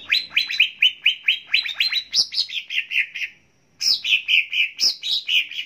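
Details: Greater green leafbird (Chloropsis sonnerati) song, a recording used to train other birds: a rapid string of bright, slurred chirps and whistles, about two a second, with a brief pause midway.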